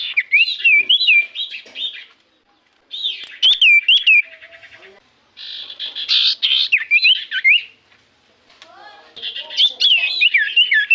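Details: Common iora song played as a lure so other birds sing back: repeated phrases of wavy up-and-down whistles, several bouts separated by short pauses, with buzzy chattering and scratchy notes between them.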